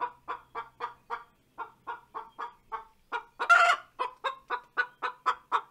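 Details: After laying an egg, a hen sings a rhythmic run of short clucks with a brief pause. A louder, rougher squawk lasting about half a second breaks the pattern before the clucks resume, growing slightly stronger.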